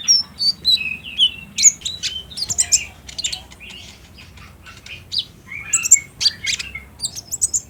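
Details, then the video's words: Olive-backed sunbird song, played to prompt a captive bird to answer and sing. High, thin chirps and sharp twitters come in bursts, with a quieter pause near the middle and faint low background hum. "PANCINGAN KONIN TROTOL AGAR BUNYI DAN GACOR"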